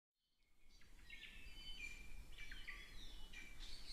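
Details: Hawaiian honeycreepers in Upper Waiakea Forest Reserve give high, thin chirps and short whistled phrases, several overlapping in quick succession, over a steady low rumble of wind.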